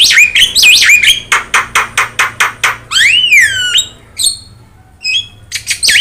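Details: Javan myna, yellow-eyed and singing actively for training other birds, gives a whistled wavering phrase, a series of regular raspy pulses, then a long descending slurred whistle and scattered short chips.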